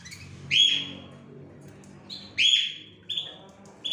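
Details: Canaries in a caged gallery of Larquet, Scotch Fancy, frosted and silver agate birds, giving loud sweeping whistled notes that rise and fall, spaced about two seconds apart, with softer chirps in between.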